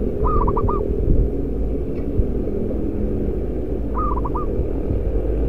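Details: Loud-voiced local zebra dove, a prized decoy bird, gives two quick phrases of one drawn coo followed by clipped stuttering notes, about four seconds apart, against heavy low rumbling background noise.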